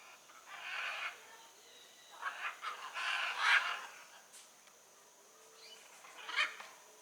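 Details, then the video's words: Wild blue-and-yellow macaw producing rough, nasal squawks, several in a cluster mid-recording and a sharp one near the end, with a steady high-pitched whine throughout. "Arara Canindé na natureza"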